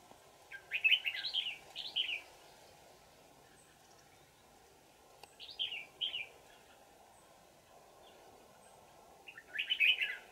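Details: Red-whiskered bulbul, a wild old forest bird trapped with a decoy on 20 December 2018, gives three separate bursts of rich warbled whistles spaced several seconds apart, against a constant low background hum.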